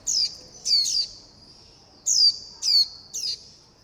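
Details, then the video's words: Young warbling white-eyes calling their mother and begging to be fed: piercing, high, descending chirps, some doubled, in short bursts separated by brief pauses against a quiet background. "Tiếng chim vành khuyên non gọi mẹ - gọi bầy - đòi ăn"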